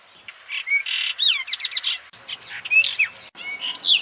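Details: Brahminy starling in Rajasthan giving a jumble of chattering notes, squeaky rising whistles and short slurred phrases over a steady background hiss.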